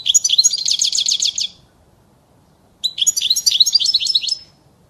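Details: European goldfinch song, offered as a clean model for teaching young birds: two fast, tinkling, twittering phrases of about one and a half seconds each, dense with bright trills and buzzy notes, separated by a short silence.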